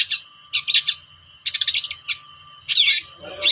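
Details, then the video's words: Long-tailed shrike (cendet) song used to stir up shrikes that will not sing: dense clusters of harsh, scratchy chattering notes in quick bursts, with a faint steady hum beneath. "PANCINGAN BURUNG CENDET"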